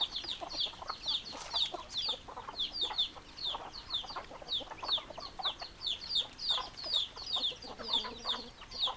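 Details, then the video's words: Flock of hens and roosters producing a steady run of sharp, high falling peeps, densely packed and overlapping, with scattered softer clucks underneath throughout. "Chicken Sounds Noises Hens Clucking Roosters Crowing"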